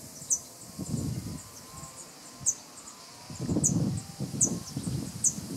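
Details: Juvenile cirl bunting at Skradin, Croatia, on 25 July 2017, giving thin, very high 'zit' calls, about six in five seconds, over low rumbling wind noise.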